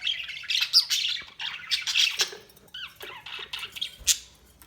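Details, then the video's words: Budgerigars chirping: a busy stream of scratchy warbles, squawks and short rising chirps, overlapping and continuous. "Budgies Chirping sound"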